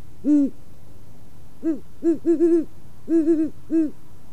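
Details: Great Horned Owls courting in October at a preschool in Waukesha, Wisconsin, a pair singing back and forth on a perch with more owls off-camera. Deep, soft hoots: a lone hoot, then a stuttering run of five or six quick hoots in the classic rhythm.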